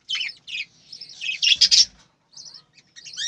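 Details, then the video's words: Budgerigars on a farm bursting into loud scratchy chatter, a tight cluster of high chirps followed by a short silence and then a few softer tweets. "বজিগর পাখির ডাক । পাখির কিচিরমিচির শব্দ"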